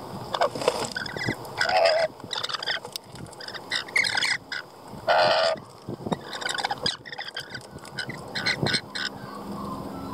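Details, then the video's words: Lorikeets squawking in bursts of harsh, grating screeches every one to three seconds, mixed with short sharp chirps and rustling. "lorikeets for homebound cats to watch"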